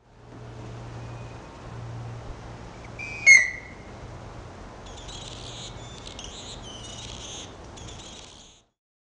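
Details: A single loud, sharp chirp from a diving male hummingbird bursts out near mid-clip; buzzy, high insect-like trills follow over a faint low hum.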